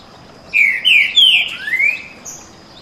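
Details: Green-winged saltator of the canto boi song style, one of two birds dueling in song: a phrase of four loud, slurred whistles, the last rising, over a faint steady high whine.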